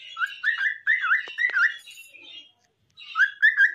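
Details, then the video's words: Pet cockatiel singing with a green parrot: looping, warbled whistles that rise and fall in quick linked phrases, a short silence, then the whistling resumes, with faint sharp clicks. "Adorable Cockatiel Singing with Green Parrot"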